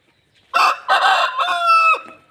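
An Aseel rooster gives a hoarse four-part crow: two rough opening syllables, then a long, sustained, slightly falling note that breaks off at the end.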